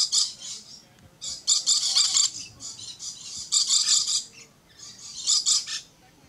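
Red-collared lorikeet giving harsh, high screeching bursts in uneven clusters, some short and some drawn out, with quiet gaps between.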